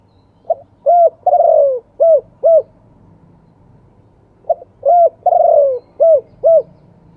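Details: Wild-style spotted dove song ending in two kuk notes, given twice about four seconds apart. Each phrase has a soft lead note, a brief coo, a long sliding coo, and two quick rounded coos over a quiet background.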